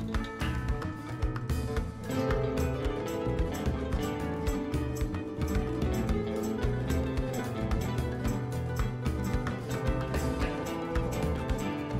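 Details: Steady instrumental music with a strong low bass and dense layered tones fills the whole recording, with no animal voice standing out.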